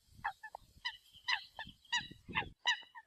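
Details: Eurasian coot calling the flock, quieter nasal honks at irregular spacing mixed with short lower notes, over a soft low rumble and faint hiss.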